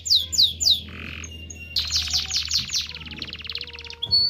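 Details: Canary singing for mating stimulation: three descending sweeps, a short harsh buzz, then a fast dense trill and a final high whistle.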